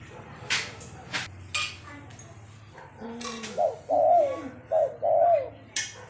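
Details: A Spotted Dove gives soft, low hooting coos in a short phrase of three or four notes, with several sharp clicks and knocks earlier on; said to coo when guests arrive.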